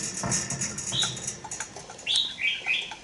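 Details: Young caged red-whiskered bulbul, two months old, in a bổi-style cage: a lone short whistled note, then a quick phrase of three or four slurred, rising-and-falling notes near the end, over a steady high hiss and faint low rumble.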